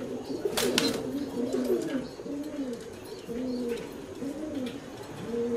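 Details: Fancy pigeons coo in soft, low, throaty murmurs that roll over one another, with a brief clatter of wings or movement early on.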